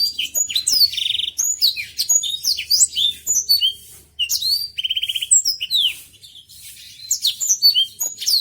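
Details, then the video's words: Botswana-type blackthroat in busy slow song of the "Peter Tosh" style, meant for training other songbirds; high varied whistled notes slurring up and down, broken by two fast rattling trills, with a brief quiet pause midway. "Blackthroat Botswana "Peter Tosh" Gacor Kicau slow cocok untuk masteran"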